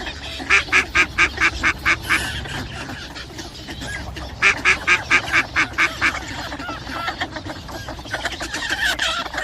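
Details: Mallard calling in two bursts of seven or eight rasping quacks each, delivered quickly at about four per second. Softer scattered quacks and low background rumble fill the gaps between the bursts.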